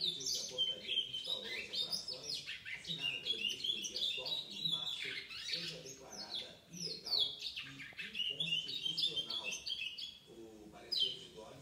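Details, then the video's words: Young chestnut-bellied seed finch, seven months old, recorded 4 August 2019, delivering a long rambling song of rapid whistled phrases, slurred sweeps and chattering trills, broken by brief pauses, while a person speaks quietly in the background. "Curió Pardo - 7 meses"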